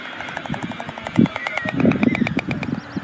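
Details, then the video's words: Rapid dry rattling pulses, like wooden clattering, build and fade over three seconds at a White stork chimney nest in Ságvár, Hungary, on day 36 of the 2024 season, with meadows and wetlands nearby. "White Storks"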